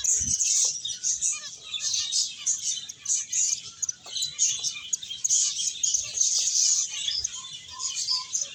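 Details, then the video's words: Chattering finches playing and eating: overlapping high tweets and rapid twitter phrases pour out without pause, a few soft lower chips and a brief low thump at the start. "Cute Birds Chirping Sounds | Beautiful Finches Playing and Eating"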